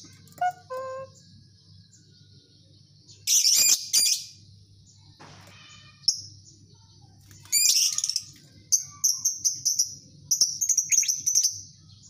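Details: Chirps from a lovebird colony: scattered sharp, high notes and short buzzy bursts. Quiet gaps lie between the groups, and a faint low hum runs beneath.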